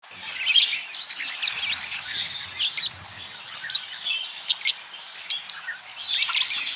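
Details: Budgerigars, described as wild budgies, chatter in a busy stream of high chirps, warbles and scratchy notes.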